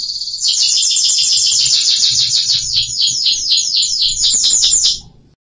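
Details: Song of a caged F1 Scotch Fancy canary that came from Jogja to Bengkulu to teach young birds to sing. One long, loud trill of rapidly repeated downslurred notes runs about five seconds, then stops abruptly.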